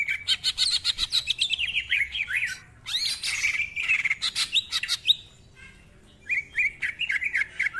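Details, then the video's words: Greater green leafbird in rapid, tightly packed ngentrok song with rich mimicked fillers: dense chattering and warbled whistles, brief pauses, then a renewed run of quick bouncing notes. "Cucak Ijo Gacor Ngentrok Full Isian, Nembak Rapet Suara Kasar Isian Mewah"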